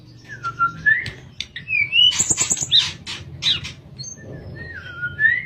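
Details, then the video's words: Sooty-headed bulbul singing in the 'nyuling', or flute-like, style for use as a training recording for other birds: fluid descending and rising whistles, then high chirps and scratchy notes, over a noticeable low hum. "Burung Tledekan Suara Nyuling Buat Masteran"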